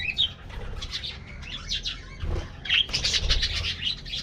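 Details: Budgies in an aviary at morning treat time give quick bright chirps and squeaks, with a wing-flutter burst in the middle and a low hum underneath.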